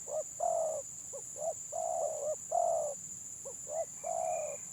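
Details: Spotted dove in the 'gagap' stuttering song style: quick broken coos between sustained deep coos, several phrases in under five seconds, with a continuous high electronic tone in the background.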